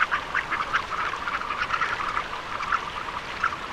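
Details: Surf scoter calling: short, harsh, nasal quacking notes at mid pitch, tumbling over one another in a dense, steady chatter with no pauses.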